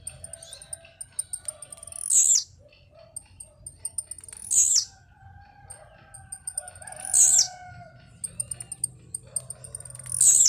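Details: Blue-black grassquit singing while jumping: four short, loud, high buzzy bursts that sweep downward, spaced about two and a half seconds apart, with rapid faint high ticking and soft lower whistles in the background.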